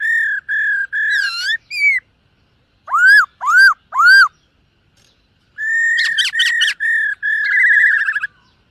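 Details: Black-throated laughingthrush singing and dancing in morning voice training: a chain of level whistles, three loud upward-arching whistled notes, then a busy run of steady whistles mixed with rapid looping warbles.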